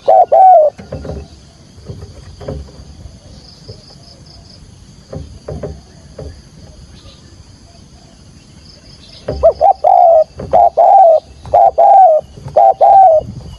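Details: Spotted dove decoy calling in 'thúc gù' field-voice style to lure wild doves for trapping: a brief coo opens, then several seconds of soft rustling and a high insect whine, before a run of loud paired coos returns near the end.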